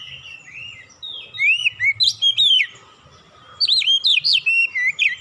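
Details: Kacer, or oriental magpie-robin, with great tit imitation for lure training: two runs of loud, clipped whistled notes, each run about seven to eight syllables, swooping up and down, separated by a short pause.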